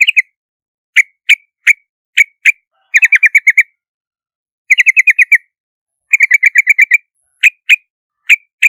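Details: Yellow-vented bulbul lure recording: isolated bright chirps spaced about half a second apart, then three quick chattering runs of six to eight notes each. No background sound.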